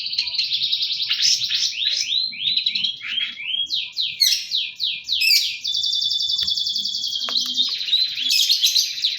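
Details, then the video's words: A long-tailed shrike pours out a continuous varied song, rapid trills and repeated rising-falling sweeps, then a sustained buzzy trill, loud and unbroken throughout. "pentet gacor | cendet gacor full isian"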